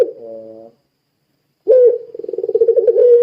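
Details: Puter pelung dove singing vigorously, a coo used to prompt other doves to call: a short harmonic coo, a pause, then a rolling, pulsing coo that settles into a steady low tone.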